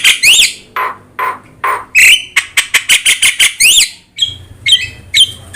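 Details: Javan myna with yellow eyes singing energetically, used for tutoring other birds: a string of short, hoarse chattering notes, then looping whistles and rapid clicky pulses ending in bright rising whistles.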